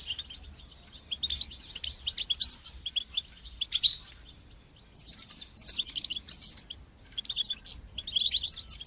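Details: Goldfinch song for training and stimulating young goldfinches, in the bitbita and sitsita style: long runs of fast, high, jingling twitters and rattling trills, broken by a brief quiet spell near four and a half seconds before resuming strongly.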